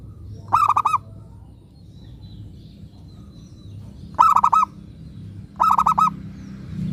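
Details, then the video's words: Local zebra dove kept as a lure bird to make other zebra doves sing and answer; three short rolling coo phrases of three to four throbbing notes, widely spaced, over a low steady hum. "Pekutut lokal gacor RAJA PIKAT ini ahlinya bikin semua burung perkutut gacor nyaut"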